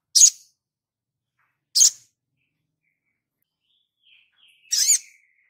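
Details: Sogon singing actively in a tutor recording for training songbirds: three loud, sharp, very high chips spaced about one to three seconds apart in silence, with a faint thin whistle before the last.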